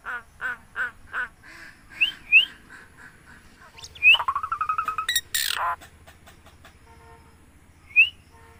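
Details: Common myna that talks, mimicking speech with short clipped harmonic syllables repeated about every half second, brief rising whistles, then a long buzzy pulsed phrase ending in a harsh rasp and a final upward whistle.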